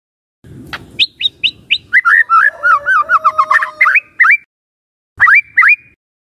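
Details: White-rumped shama song used as a lure to provoke other shamas. A run of short rising notes opens into a rapid, rolling sequence of whistled slurs. The sound cuts off, then two upswept whistles follow.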